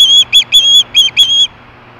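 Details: Brief burst from an osprey screaming for fish at Hellgate, 2014, 4:19 PM: four or five sharp, high whistled screams in quick succession, then abrupt quiet with only a low hum remaining.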